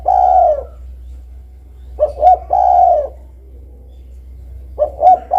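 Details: Spotted dove giving its low cooing call. A long drawn coo opens, then a phrase of two quick short notes and a sustained coo. A third phrase begins at the close, with faint background hum throughout.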